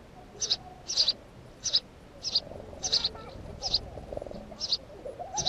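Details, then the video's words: House sparrow giving a run of eight clipped, high chirps, some doubled, spaced unevenly at under a second apart, against a quiet, low murmuring background. "Воробей домовый"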